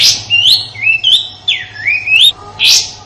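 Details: Sooty-headed bulbul in Indonesia giving a rough 'tembakan kasar' style song used as master song for training white-rumped shamas and other contest songbirds: clear slurred whistles alternating with harsh, loud broadband bursts, several phrases within three seconds.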